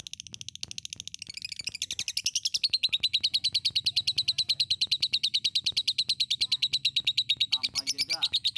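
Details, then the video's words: Lovebird singing energetically in the morning: a fast, high, scratchy chatter of rapidly repeated pulsed notes that grows louder and steadier after the first two seconds, with a low background hum. "Lovebird ( virus ) gacor ampe pagi"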